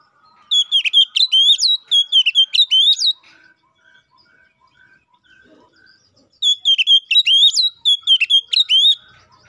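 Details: Oriental magpie-robin in loud rival-calling 'ngeplong' song, a lure for other magpie-robins: two bursts of about eight sharp whistled upslurs each, separated by a quiet stretch with faint soft notes.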